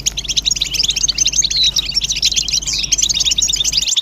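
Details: European goldfinches twittering together, calls described as mating and readiness calls. Rapid overlapping high chirps and short buzzy trills fill the whole stretch, ending abruptly.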